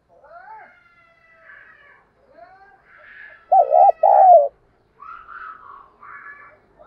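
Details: Spotted dove used as a decoy, cooing hard: a pair of loud, deep, wavering coo phrases in the middle, with quieter whistled and chattering calls from other birds before and after.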